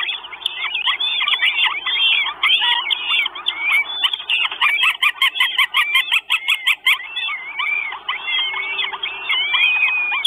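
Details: Northern goshawk nestlings, four chicks in an Estonian nest on 1 June 2022, clamour for food on a nest camera. Dense overlapping squeals and whistled slurs run almost continuously, with rapid clicking ticks in the middle.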